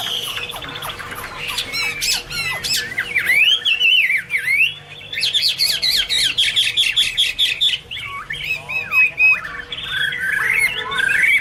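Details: Chinese hwamei (Garrulax canorus) singing a rich, varied song of loud whistled phrases, slurred rising and falling notes and rapid harsh bursts, with a faint steady hum beneath.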